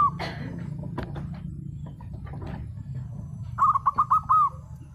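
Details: Local zebra dove, singing and answering: after some clattering and rustling noise, one brief phrase of quick, bubbly cooing notes is heard near the end over a low background hum.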